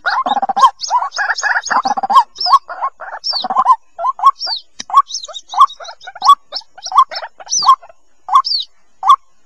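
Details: White-breasted waterhen chick calls, a lure recording for coaxing waterhens from thickets: dense chattering bursts at first, then spaced single squeaky peeps with a high whistled upsweep, about one and a half per second.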